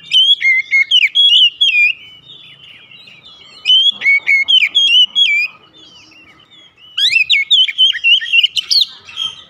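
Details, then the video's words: Morning singing of an Oriental magpie-robin in three separate phrases, each a quick cascade of sweet, slurred whistles, with quiet pauses of a second or two between. "OCEHAN KACER DI PAGI HARI"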